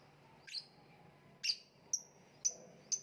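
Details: Lovebird giving five sharp, high chirps roughly half a second apart, the first two broader and harsher, the later ones thinner and more whistled, against a low background hum.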